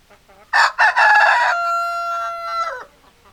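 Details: Rooster crowing: two short sharp opening notes, then a long, level, strained tone held for over a second before dropping away at the end, with faint clucking beforehand.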